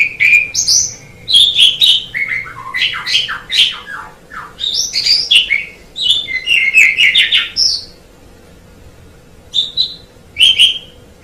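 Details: Long run of varied song from a white Asian pied starling, with whistles, chatter and rising notes packed closely, then a quiet spell and two final short whistled phrases.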